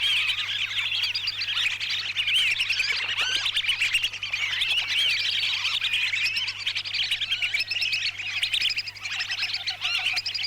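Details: Whistling ducks used as a trapping lure, Lampung, Indonesia. A dense, unbroken flock chorus of high twittering whistles, rising and falling notes crowding together for about ten seconds.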